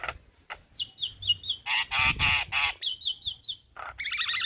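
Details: Male Javan myna calling young companions: a series of short whistled notes around a steady pitch, bursts of loud, harsh, nasal honking notes, then squeaky rising chatter.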